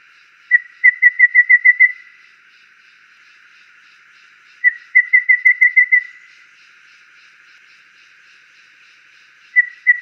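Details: A wild golden babbler in nature gives clear, even-pitched piping whistles: a lone note, then a quick run of six or seven, repeated every four to five seconds.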